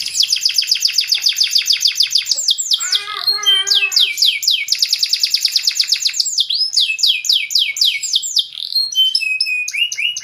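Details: Canary in lively full song, long fast trills of repeated high sweeping notes, broken by a lower buzzy rolling section, then more rapid chattering trills and sharp whistled notes, loud and clear with no other sounds.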